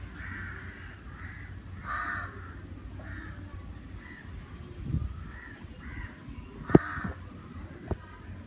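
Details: Crows calling in summer air, a string of harsh caws of varying loudness, a few sharp clicks or knocks nearby, and low background rumble.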